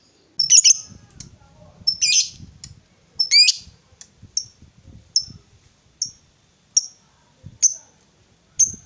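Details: Female fighter lovebird, used to goad rival birds: three harsh, noisy squawks with rough broadband bursts, then a run of clean, sharp high chirps spaced about a second apart. Faint low rumbling sits underneath.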